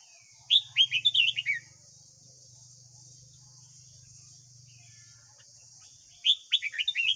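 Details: Red-whiskered bulbul's morning song for training a young caged bird: two quick chattering phrases of six or seven bright whistled notes each, about five seconds apart, with a low hum and steady hiss in between.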